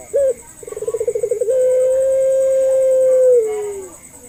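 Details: Single drawn-out call of a puter pelung dove, played to prompt reluctant doves to call: an opening clipped note, a fast rolling trill, then a long level hum-like coo sliding down at the end.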